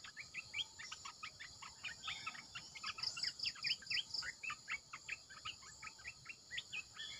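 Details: Red-eyed bulbul decoy calling: a dense, overlapping chatter of short bubbly notes from several birds. A run of six bright high pulses sits near the middle, over a steady high insect hiss.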